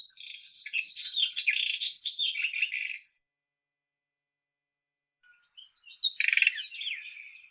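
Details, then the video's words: White-throated robin singing two scratchy, twittering high phrases of rapid varied notes, the first about three seconds long, then a pause of about three seconds before a shorter, rougher burst. "Как поёт Соловей белошейка (Irania gutturalis)"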